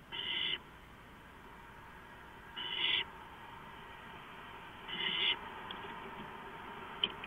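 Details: Before dawn on 6 April 2015, around 4:45 AM, three owls share a nest-box cam housing, two moving in and out. Three rasping hiss-screeches about two and a half seconds apart over low constant hum.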